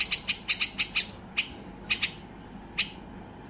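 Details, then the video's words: Excited white-eared bulbul song meant to prompt other bulbuls to sing: a quick series of about six bright clipped chirps, then spaced single notes with short gaps, over a faint low hum. "اقوى تغريد بلبل بصراوي لفتح البلابل القافلة"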